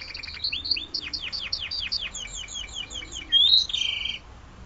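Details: Spanish Timbrado canary in classic style sings a rapid series of falling, metallic arched notes that run into a fast trill, then a bright rising whistle and a buzzy held note.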